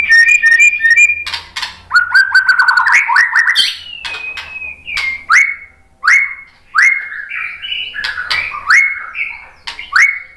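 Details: White-rumped shama singing as bait to set off other singers: a dense, rich medley of fast trills and whistles, easing into spaced, rising whistled notes with short slurred flourishes.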